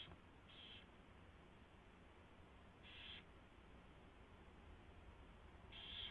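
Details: Owl at the nest during a mouse delivery and feeding, 4:21 AM on 24 February 2016: three short, rough hissing bursts spaced a second or two apart over a steady low hum.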